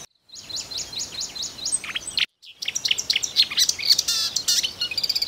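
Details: Marsh warbler singing in Russia; a series of repeated rising high notes, a short silent gap, then a dense, hurried medley of buzzes, whistles and chirps.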